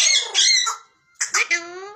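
A ringneck parrot gives two short bursts of nasal, speech-like chatter, harsh and high-pitched, with a brief pause between them in a quiet room.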